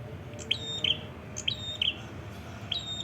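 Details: Red-headed prinia recorded in Padas district, Ngawi, East Java: bright, high chip pairs linked by a short level whistle, given in spaced phrases about once a second, with steady low-frequency background noise.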